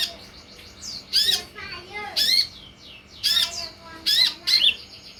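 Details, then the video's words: Lure and tutor recording meant to make sunbirds reply and sing: a string of five raspy, broadband chirps with downward-sliding tails, unevenly spaced over five seconds, with a quiet background hum. "SUARA PANCINGAN DAN MASTERAN UNTUK SEMUA JENIS KOLIBRI"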